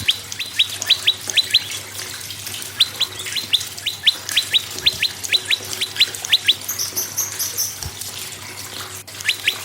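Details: Prinia song played to get other birds singing, clusters of fast descending double chirps, a high shimmering sound near the end and a short click, with a low hum throughout.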